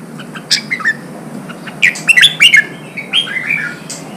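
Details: Wild-caught red-whiskered bulbul song used to stimulate and train birds for singing contests: bright, quick, whistled phrases, rising and falling, bunched in loud bursts with brief pauses.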